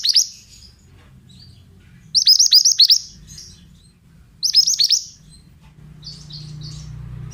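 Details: Oriental magpie-robin singing: three bursts of rapid, buzzy, high chirps, each under a second long and about two seconds apart, then a softer, fainter phrase near the end, over a low background hum.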